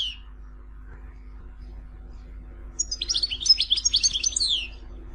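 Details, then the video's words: Goldfinch song from Tizi Ouzou: a single high note, then a constant low hum for a couple of seconds, then a short burst of fast, high twittering. "Chant chardonneret tizi ouzou تغريد حسون تيزي وزو"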